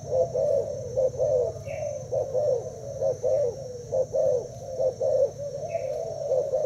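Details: Thai spotted dove in a cooing match against a decoy after two days in its cage; rolling low coos repeated steadily, with a couple of faint high chirps from another bird.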